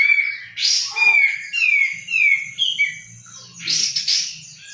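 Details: Bulbul, uncertainly identified as a sooty-headed bulbul or the form called jenggot, gives a string of clear descending whistled slurs broken by two harsh, scratchy bursts, with faint low knocking behind.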